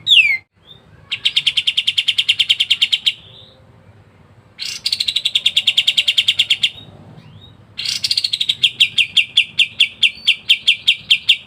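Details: Singing kapas tembak, a master song for other songbirds, delivered densely: three long rapid trills of short repeated notes, each opening with a loud downward-sliding note, separated by brief quiet gaps, the last trill slowing toward the end.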